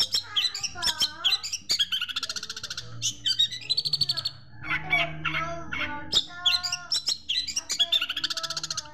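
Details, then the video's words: Long-tailed Shrike master song for training birds, filled with sparrow imitations: rapid varied chirps, buzzy harmonic notes and dense trills packed into quick bursts, with a low steady hum underneath. "Masteran Cendet Isian Greja Mewah"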